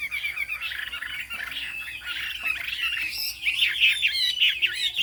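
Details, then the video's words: Chinese hwamei with fig-leaf tail and turmeric-yellow bill in high song: a continuous jumble of warbled whistles, growing louder and more trilled toward the end, against a rough background hiss. "Họa mi hót cao cầu"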